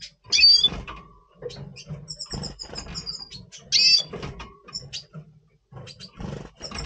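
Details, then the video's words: Double Pastell red siskin in pre-breeding mood, November 2023, giving scattered high, squeaky chirps and twitters with a short rattling trill in the middle, over a low background hum. "Red Siskin 🦩Double Pastell 🔥FeuerZeisig before Breeding - Voice Brutstimmung"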